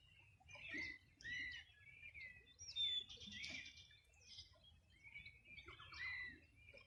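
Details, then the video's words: Birds on the Río Bueno shore, Los Ríos Region, singing on a summer morning in 2020. Dense overlapping chirps and whistled notes rise and fall in loudness every second or so, several birds calling together. "Sonido de las aves a orilla del Rio Bueno"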